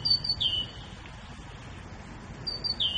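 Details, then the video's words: A grey bulbul gives two clear whistled phrases about two and a half seconds apart, each with quick high notes and a falling slurred whistle, over faint background hiss. "بلبل الرصد الرمادي"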